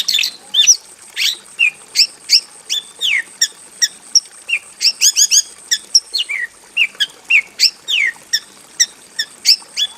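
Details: Javan bush lark kept in a simple aviary, singing a lively song full of varied phrases: a dense, unbroken run of sharp chirps, whistled rising and falling slurs and brief buzzy notes in quick succession, with no other sounds.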